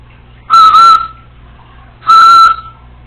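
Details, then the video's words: A female Congo African Grey Parrot, a pet alone in the house, gives two loud, level, pure whistles about a second and a half apart, each roughly half a second long. "African Grey Parrot recorded talking to herself when no one was home!"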